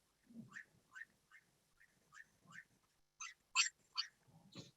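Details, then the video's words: Puerto Rican nightjar calling at night by a roadside in Puerto Rico in January, heard all night: a steady series of sharp, upslurred whistled notes, about two per second, ending louder, with a faint low rumble beneath. "And I'll play the call of the Puerto Rican nightjar for you."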